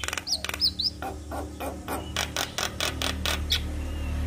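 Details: Javan myna, a usually quiet bird that answers a lure recording of another myna: a few high looping whistles, then a run of harsh, rasping broadband notes repeated about every quarter second.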